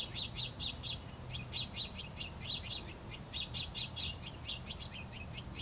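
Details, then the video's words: Two House Finch nestlings on their last day in the nest before fledging, begging as both parents feed them: rapid high squeaky chirps in quick bursts, roughly one per second, steady throughout, with a low hum underneath. "House Finch babies being fed by Mama & Papa Finch."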